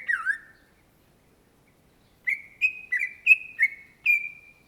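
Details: Greater green leafbird (cucak ijo) sings a downslurred whistle, then after a gap a string of six sharp whistled notes, alternately rising and dipping, roughly three per second, in otherwise quiet surroundings.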